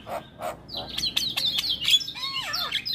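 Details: Singing Javan myna opens with low mellow notes, then a rush of high squeaky whistles and clicks, ending in descending looping warbles.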